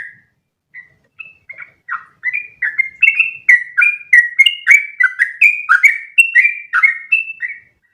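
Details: Sooty-headed bulbul 'ropel' training song: sparse, soft opening notes build after two seconds into a fast, continuous series of fluty chirps stepping between low and high pitches, fading out near the end.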